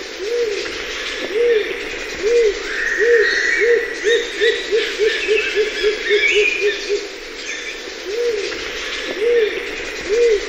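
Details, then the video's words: Rose-crowned fruit dove (Ptilinopus regina) gives low, hollow coos that speed up into a rapid bouncing series and then slow again, with other birds chattering in the background. "SOM DE POMBO-FRUGÍVORO-DE-COROA-ROSADA (Ptilinopus regina) rose-crowned fruit dove"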